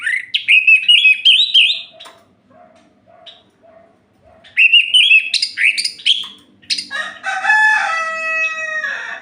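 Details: At night an orange-headed thrush sings to provoke rival males: bursts of fast varied whistles, soft low notes between, and a final harsher harmonic phrase.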